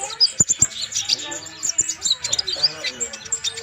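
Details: Kolibri ninja, or Van Hasselt's sunbird, singing vigorously as a training model: shrill high chips and thin whistled squeaks follow in quick succession. A few loud clicks come at the start.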